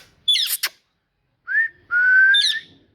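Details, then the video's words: Talking parrot opening with a harsh raspy squawk, then a brief rising whistle and a long, slowly climbing whistle ending in a squeaky flourish, in a quiet setting. "Parrot Talking"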